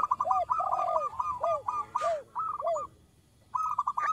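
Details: Local zebra dove, small voice, singing keenly for luring, described as a female calling a male: a hurried cluster of staccato coos with drooping arched notes, a soft noise burst, a short silence, then another quick run.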